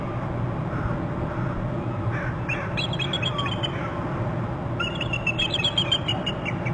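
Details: Bald eagles calling together at a nest territory on Hornby Island, one having hopped up beside the other: two short runs of high, rapid, chittering notes, the second longer, against constant low rumbling background.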